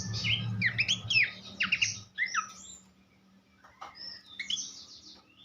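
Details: Horsfield's babbler singing on a songbird tutor recording: two seconds of fast, loud slurred whistles and short rising and falling notes, then a pause and softer scattered notes over a steady low hum.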